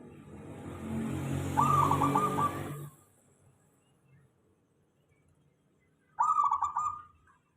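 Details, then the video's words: Local zebra dove lure song meant to draw answers from other doves: one coo phrase half-buried in loud rumbling noise, then a clear, bubbling, trilled coo after a quiet pause. "Suara perkutut lokal.dijamin semua perkutut langsung nyaut ramai"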